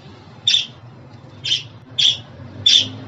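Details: Budgerigar calling to please a pet budgie: four brief rasping chirps, roughly one every two-thirds of a second, over a quiet low indoor hum.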